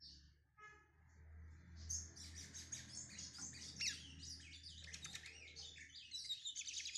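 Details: Brown-plumaged lined seedeater (bigodinho pardo) from Pernambuco, Brazil, starting to sing: brief chirps at first, then from about two seconds a dense, high, rapid twittering with buzzy trills, over a steady low hum.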